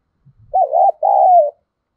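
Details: Lure spotted dove cooing to bring wild doves in quickly; a faint low rustle, then a two-part coo, wavering at first and then long and level.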